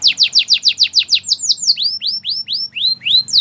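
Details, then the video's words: A Belgian canary repeats quick downward-swept whistles about five per second, then slows into rising upslurred notes, ending on one high sweeping note; clear, steady singing. "Do this and your belgian canary will sing a lot!! The best canary song"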